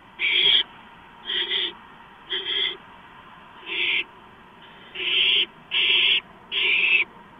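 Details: Nest-site barn owl during a night-time gopher delivery on 2 April 2015: rasping hisses at uneven spacing, a few doubled, with louder, longer bursts toward the end.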